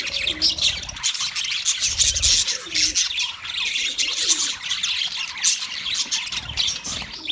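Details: Chirping of wild budgerigars in a flock, many birds calling at once in a busy wall of shrill, rapid warbling notes that swell and ebb, with faint low thumps underneath.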